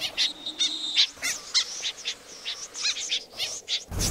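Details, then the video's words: Lure recording of snipe for night bird trapping: a steady thin high whistle overlaid by brisk, shrill chirps that come in quick bursts, some with a stuttering, rattled quality, ending in a burst of noise. "tiếng rẽ giun chuẩn 1"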